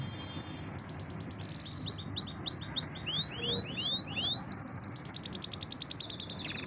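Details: Champion canary in full song: clean rapid trill, a run of loud looping whistled slurs repeated about once a second, then a fast high rolling trill to finish; steady low background hum.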